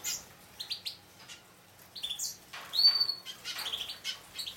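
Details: Juvenile hooded siskin x Raza canary mules, nine weeks old, taking a bath: high, thin chirps and short tweets in scattered bursts, with one clearer rising whistle midway and faint splashing water.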